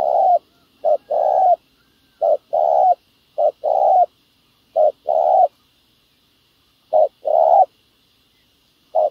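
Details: Spotted dove cooing at a ground decoy trap for wild field doves: about seven short-long coo pairs separated by uneven pauses, clear and close.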